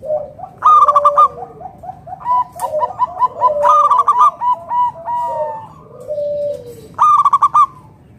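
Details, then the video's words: Local zebra dove in full song to lure other doves: rapid ringing coo bursts mixed with many softer, repeated lower coos and answering notes, creating a busy, overlapping dove chorus. "PERKUTUT LOKAL GACOR SUARA PALING AMPUH UNTUK PANCINGAN BURUNG PERKUTUT AGAR NYAUT BUNYI GACOR"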